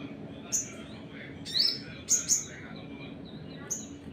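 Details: Sunbird singing a provoking 'nembak' song aimed at other birds: a few isolated high, sharp chirps and a downward-slurred note, separated by short gaps, with faint background noise.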